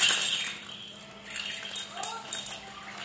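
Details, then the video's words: An excited rainbow lorikeet chatters in short, harsh, squeaky bursts with a few quick rising and falling notes, over a faint steady high-pitched whine. "Rainbow lorikeet is so Excited"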